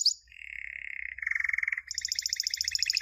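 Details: Canary song for teaching young birds: a short falling whistle, then a level buzzy roll, a louder pulsed roll, and a high rapid trill.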